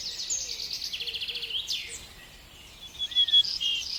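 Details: A high bird song of rhythmic trilled phrases, a swooping note and sharp chirps, with a thin whistle near the end and faint low whistles heard beneath.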